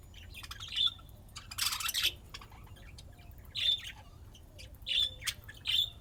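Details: Playing budgerigars give several sharp, bright chirps spaced one to two seconds apart, with a loud harsh rasping burst near the start and soft clicking in between.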